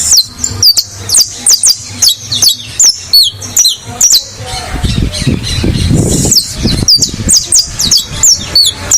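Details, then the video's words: Caged saffron finch singing a rapid series of sharp, high, down-slurred chipping notes, several each second, with a brief burst of lower rustling noise midway before the notes resume. "COMO O CANÁRIO TERRA CANTA NA GAIOLA"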